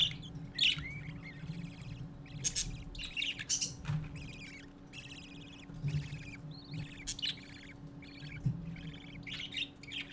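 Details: Several young parakeets gathered around their father, 4 December 2014, late morning: continuous busy chatter of warbled, buzzy chirps and squeaky notes in quick overlapping bursts, with a constant low electrical hum beneath.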